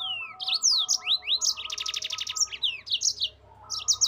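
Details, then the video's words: Yellow-fronted canary singing continuously in gacor ngerol style, recorded as a master for training caged birds: sweeping whistles, a dense buzzy trill in the middle, then more twittering notes, over a soft background hum. "MASTERAN BURUNG MOZAMBIK GACOR NGEROL"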